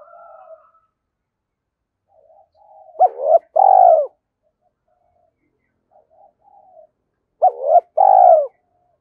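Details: Spotted dove coo played as a lure to provoke cooing: two bursts of a clipped double note followed by a drawn-out purring coo, separated by soft low murmurs, with no other sounds present.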